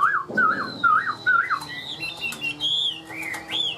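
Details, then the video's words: Tame caged Chinese hwamei in song: rich, loud whistled notes, first lower wavering phrases then higher sliding ones, delivered in short bursts about twice a second, with light background clicks. "Siêu mỏ ra giọng rất đều - Họa mi đẹp hót hay"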